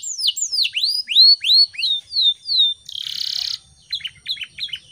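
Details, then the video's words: Canary song used in the morning to prompt other birds to sing and learn: a run of repeated downward-slurred whistles, then a dense buzzy roll, followed by short clipped chirps. "PANCINGAN SUARA BURUNG KENARI GACOR PAGI HARI"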